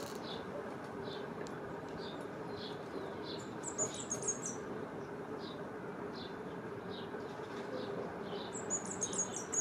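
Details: A cinereous conebill in Chile sings from an electric cable, giving thin, high chips about twice a second with brief squeaky twitters, before flying off; house sparrow, rufous-collared sparrow and dove also audible over steady rushing background.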